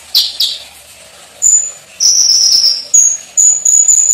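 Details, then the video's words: Sunbird song used as training material for cage birds: two short buzzy chips, then very high thin drawn-out whistles and a sizzling sustained note, repeated in short bursts. "MASTERAN KONIN GACOR FULL ISIAN MEWAH MATERI KEKINIAN"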